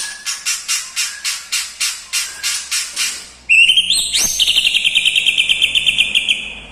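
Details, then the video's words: Song of a white-rumped shama filled with lovebird, kapas tembak and cucak jenggot mimicry: about a dozen evenly spaced buzzy pulses, then a sudden bright whistled note running into a long steady trill. "MURAI BATU MEWAH ISIAN FULL LOVE BIRD,KAPAS TEMBAK,CUCAK JENGGOT"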